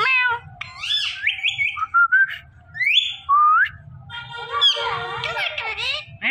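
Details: Indian ringneck parakeet talking, saying "Mitthu Mitthu"; voice-like harmonic phrases with sliding pitch, mixed with harsh squawks, over a low background hum.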